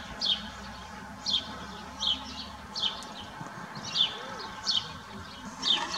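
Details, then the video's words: Close-up recording from 2021 of a singing sparrow: loud, high chirps come in a steady series, roughly one per second, with a quiet background. "śpiew/dźwięk wróbla"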